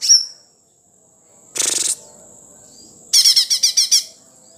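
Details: Sumatran leafbird singing a sharp high whistle, then a harsh rasping burst, then a rapid series of about seven bright, buzzy, repeated notes, with a faint steady high tone throughout.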